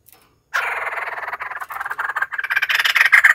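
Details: White-crested laughingthrush in a continuous, loud, rough chattering chorus that swells over three seconds, the notes blurring into a harsh rolling cackle.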